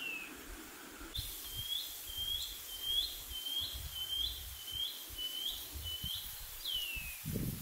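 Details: Shining cuckoo (pīpīwharauroa) giving its first call of spring on a farm in New Zealand on 28 September, near scrub below eucalypts: a series of about nine high, upslurred whistles, ending in one long down-slurred whistle, with faint background noise.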